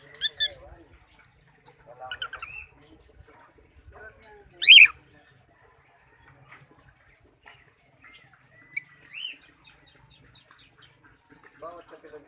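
A cockatiel sings scattered chirps and short whistled notes, with a bright shrill squawk midway.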